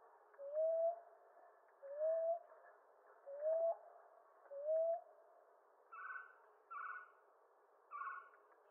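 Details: Common ground dove giving soft rising coos, four in a row about every 1.4 seconds, followed by three shorter, higher, hoarse notes.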